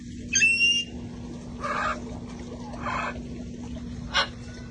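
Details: Parrots in a sanctuary flock playing outside before cold weather: an opening clear, level whistled note, followed by three rough squawks about a second apart and a short sharp call, over a low hum.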